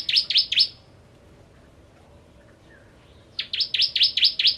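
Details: Bar-winged prinia, the active lure song: three sharp high descending notes, a quiet gap of over two seconds, then a renewed burst of six similar notes.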